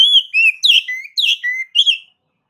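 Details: Oriental magpie-robin singing to stir another male into anger, delivering a varied two-second phrase of rich, warbled whistles that alternate between sliding lower notes and brighter, rougher higher ones before stopping abruptly.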